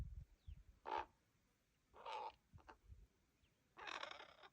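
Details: Common raven fledglings still with their parents, begging impatiently while waiting for food: four harsh, hoarse, drawn-out croaking calls about a second apart, with a faint low rumble between them.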